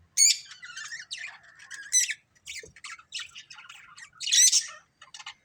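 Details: A family of colourful budgies chattering: scratchy, buzzy chirps and squawks in quick bursts, with a few sharp high notes at the start, near two seconds and near four and a half seconds, separated by short pauses.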